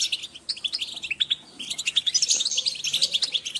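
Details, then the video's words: European goldfinches calling as a group to motivate birds: quick sharp tweets and slurred high notes, sparse at first, then a dense rapid twittering run. "Group calls for goldfinch"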